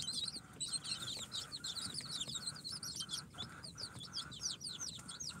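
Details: Young incubator-hatched chicks on day four, Sultan, Golden Sebright, Cochin and booted breeds, peeping rapidly in overlapping high chirps alongside a steady low mechanical hum and regular soft clicks.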